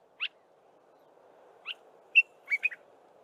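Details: Dark-capped bulbul singing in the early morning: short, bright whistled notes spaced apart, then a quick cluster of three liquid notes near the end, over faint low background noise.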